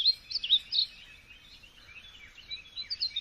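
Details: Birds singing at a moderate distance: clusters of high, warbling chirps, louder at the start and end, with a softer twittering stretch between them and light low rumble underneath.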